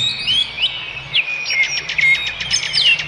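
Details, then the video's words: Wild bird singing in nature, high clear whistled notes swooping up and down, followed by a fast series of sharp repeated chips near the end. "Suara kicau burung di alam"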